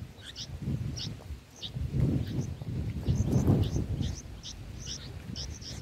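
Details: Bulbul nestlings, six days old, fed in their nest: short, high-pitched squeaky chirps repeat rapidly and fairly evenly, partly masked by loud low-frequency rumble and faint voices.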